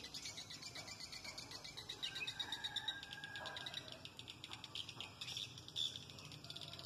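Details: Swiftlet lure sound played to attract swiftlets: fast high twittering chirps in a continuous stream, with sharper chirp bursts near the middle and end over faint background hiss.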